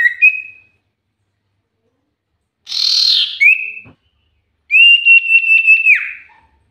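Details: Common iora song used as a lure recording: a short whistled note near the start, a harsh burst, then a long steady whistle rippling with quick pulses, set apart by pauses of silence.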